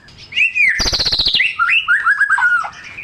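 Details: White-rumped shama singing a richly filled, mimicry-laden song meant to spur silent shamas: a falling whistle, a fast buzzy rattle of repeated notes, then a run of lively warbled, rising and falling phrases.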